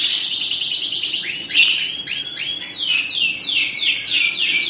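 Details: Crested canary singing a steady buzzy trill, then a sequence of repeated descending slurred whistles, speeding into a run of falling notes about five per second.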